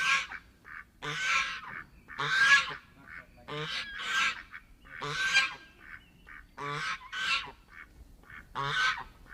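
A goose gives loud, harsh honks, singly and in quick doubled bursts, about one every second or so, with short gaps between.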